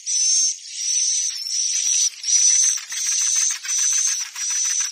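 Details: Swiftlet lure sound for bird houses: a series of harsh, buzzy, hissing chirrs repeated about every 0.7 seconds, each a dense rattling burst with a thin steady whistle running through it, no other sounds.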